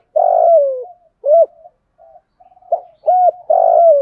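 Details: Spotted dove calling with male and female coos for training other doves; a long rough coo falling in pitch, then quick arched coos and soft murmurs, ending in another long falling coo.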